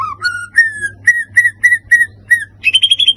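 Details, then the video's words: White-rumped shama provoking song for stirring other birds: clean, pure whistles, the first ones sliding downward, then evenly spaced clear notes, finishing with a fast trill of high ringing notes. "PACINGAN emosi murai batu pastol"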